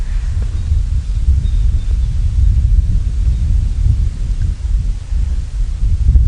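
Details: Only a deep, continuous low rumble like wind buffeting or a running engine is heard, with no animal calls.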